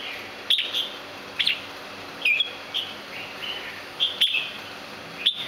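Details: Santa Claus variety red-whiskered bulbul, a rare farm-kept bird, uttering sharp clipped chirps followed by brief slurred whistles, spaced irregularly about one second apart, over a constant soft high-pitched hiss.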